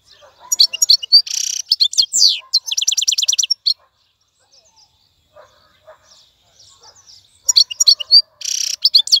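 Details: European goldfinch, a wild bird kept after capture and tamed, delivers bright twittering bursts and a buzzy rattle, falls nearly silent for about four seconds, then resumes with sharp chirps and a harsh buzzy trill.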